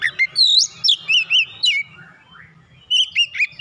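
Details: Agitated Oriental magpie-robin (kacer), goaded into song, delivering its learned material. A rising whistle leads into rapid, bouncy dipping notes, followed by a pause with a soft upward slur, then another quick whistled run. A faint low hum sits underneath.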